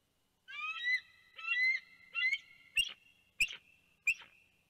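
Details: Bald eagle pair at their Big Bear nest, 2 January 2019, calling in alarm at an intruding large bird, possibly a juvenile bald eagle, flying past: six high, thin whistled notes in under four seconds, early ones rising, later ones sharp and piercing.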